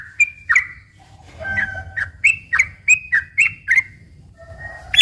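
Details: Sooty-headed bulbul singing slow and long trill phrases meant to draw in other bulbuls: clear whistled notes, each dropping slightly, repeated about every third of a second in a lively series.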